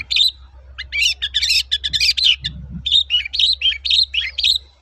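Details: Long-tailed shrike singing a lively 'toet-toet' lure song for training birds: dense bursts of high, chattering chirps and short whistled notes, packed closely with brief pauses, with a faint low hum underneath.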